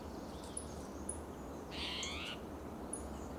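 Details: Spotted towhee in Del Monte Forest, California, agitated and calling on a June morning in oak and pine woodland; a single rasping buzzy call midway, with a few faint high ticks and a steady low rumble behind.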